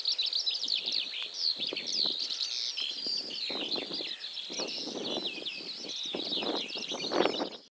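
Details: Whinchat recorded at 51.854836, 20.132729 gives a rapid, continuous run of high, scratchy chirps and short whistled notes, with gusts of wind rumbling underneath.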